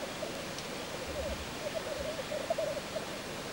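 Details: Displaying male black grouse at a lek, its soft, low, gurgling bubbling running in a continuous rolling stream under a hiss of background noise, with a single faint higher note early on.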